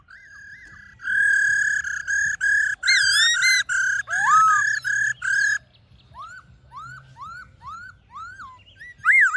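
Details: Black-throated laughingthrush forest-style song used to stimulate and train caged birds: clear whistled notes, held tones and rapid rich phrases, then a series of upward-slurred whistles, over a faint low hum.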